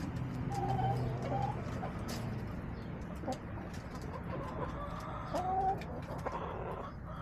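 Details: Hens in a backyard flock on March 30, 2024, giving a steady stream of short clucks and a few drawn-out, rising, tonal notes, over continuous low background rumble.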